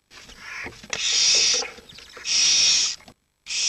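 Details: Barn owl chicks between 7 and 19 days old, pressed together for warmth while the adults are out hunting; two loud rasping hisses over a background of shuffling, rustling noises, then a brief silence and another hiss.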